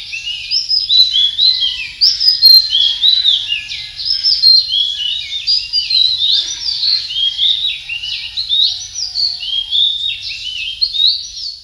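A male Philippine magpie-robin sings a rich, continuous stream of clear, varied whistles, sliding up and down in quick overlapping phrases, with a faint low hum beneath.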